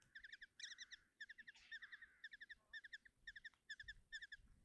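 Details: Common kestrel nestlings in Tiszalök, Hungary, fed by their mother on the morning of 30 June 2024: quieter clusters of short, sharp, harmonic chips, repeated roughly twice per second, with soft background rustle.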